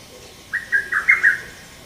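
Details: Male lesser cuckoo, about 28 cm, recorded on 30 May 2017, giving its sharp call rendered as "tokkyo kyoka kyoku": a single phrase of five quick whistled notes around one pitch, faint background hiss.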